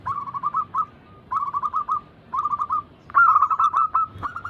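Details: Zebra dove cooing as a lure for reluctant caged doves, local and Bangkok crossing types mentioned. Three bursts of rapid, evenly spaced mid-pitched coo notes, each burst about a second, then a louder, rougher run with faint low background rumble.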